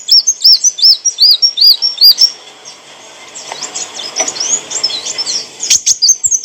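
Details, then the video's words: Olive-backed sunbird song used for training cage birds: a quick series of high, arched whistled notes repeated about every third of a second, then softer varied twittering and sharp ticks. "kicauan burung kolibri wulung - suara jernih untuk masteran & pancingan"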